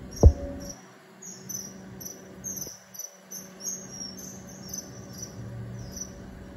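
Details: Common kingfisher on the Zenpukuji River, recorded on a smartphone. It gives thin, very high, sharp piping notes repeated in quick irregular series over a quiet background, with a single loud click near the start.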